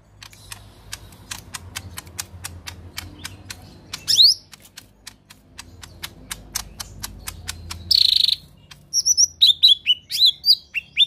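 Lesser green leafbird: a long run of sharp, rapid ticking notes broken by loud harsh bursts, ending in quick, high, sweeping whistled chirps.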